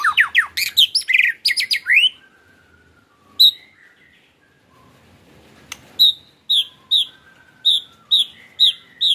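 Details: White-rumped shama song in the ketrekan style, used as a lure to stir a caged shama into singing: a burst of steep falling and rising whistled sweeps, a pause, then sharp high notes repeated about every half second.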